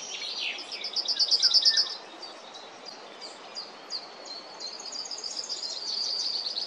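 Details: Yellowhammer singing: a quick run of identical high, dry notes repeated in a rattling series for about a second, followed by scattered chirps from other birds over steady background noise.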